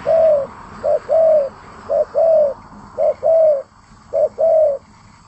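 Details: Spotted dove singing actively: a run of mellow, low coos, each a short note followed by a longer drawn-out coo, the pair repeated about every second with brief gaps between, against a quiet background.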